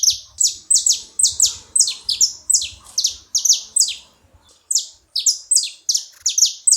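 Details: Several saffron finches chirping in unison: loud, sharp notes sweeping downward, packed closely and overlapping, with one brief gap near the middle.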